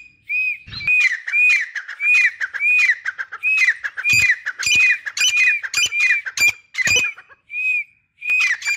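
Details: Two grey francolins kept as a pair in a cage give rapid, grating calls, each note ending in a curved whistle, with a few sharp clicks and short pauses between bursts.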